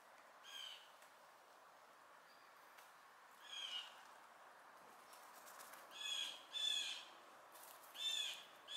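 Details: Fledgling blue jays picking around, calling in harsh, nasal bursts with stacked harmonics; five calls spaced unevenly over about nine seconds, two close together near the end, above a steady faint background hiss.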